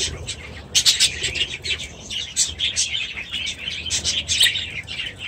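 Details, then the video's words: Budgerigars in an aviary chattering together: dense bursts of high, scratchy chirps and warbled tweets overlap continuously, with brief louder clusters about every second and faint wing flutters. "6 Hours of Budgies in their Aviary"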